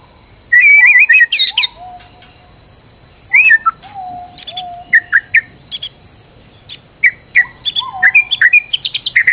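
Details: White-rumped shama in a stressed state, heard as a lure to spur another bird into song: varied chattering phrases, sharp high notes and low drawn-out whistles, ending in a fast run of clipped chips.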